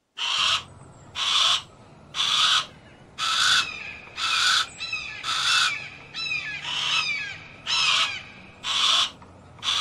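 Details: Harris's hawk repeating grating, broadband squawks at about one-second intervals. Small birds give brief sliding chirps between several of the calls.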